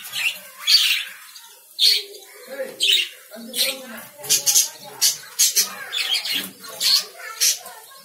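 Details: Lovebirds sending out a steady series of short, sharp, piercing chirps, spaced roughly half a second apart, some doubled, in a fairly quiet room.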